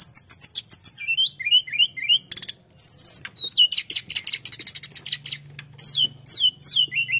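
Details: Flowerpecker in energetic full song: rapid high, thin chirps and ticks in dense bursts, with short sliding whistled notes repeated in series and quick trills, over a faint low hum.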